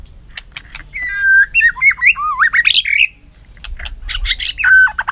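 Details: White-rumped shama in a fighting song while training its voice. Sharp clicks lead into a long run of varied, warbling whistles that rise and twist. Brief quiet, then dense chattering notes end on a clear, level whistle.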